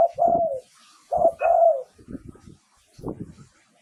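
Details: Spotted dove in Thailand, recorded as a lure for wild doves: two drawn, gently falling coos with short lead-in hoots, then low rattling, clicking sounds.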